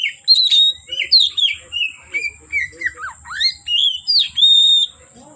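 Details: From afternoon into night an oriental magpie-robin pours out loud whistled notes, falling slurs and quick warbles in a continuous phrase, with faint low rumbling and a thin steady high tone behind.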